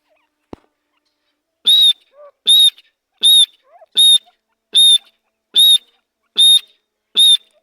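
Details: Grey francolin in a steady run of eight loud high whistled notes, evenly spaced under a second apart, after a single sharp click at the start.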